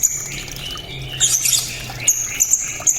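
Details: A blue-crowned hanging parrot sings its loud, sharp, clear cililin fill, meant for training competition songbirds. Sharp, very high chips and short trills sound over a low background hum.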